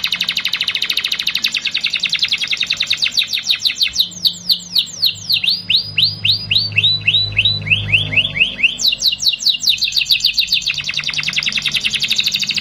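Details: Canary in vigorous lure song (pancingan) for young birds to learn from: fast rattling trills alternate with a run of clear downslurred whistles, about four per second, then rapid trilling resumes; a low hum sits in the background.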